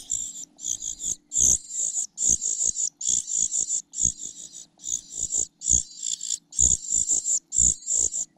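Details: Young parasitic cuckoo begging insistently from its host foster mother, which it pecks after missing food. Shrill, hissing, high-pitched calls repeat in quick bursts about twice a second, loud and uneven, with faint knocks below.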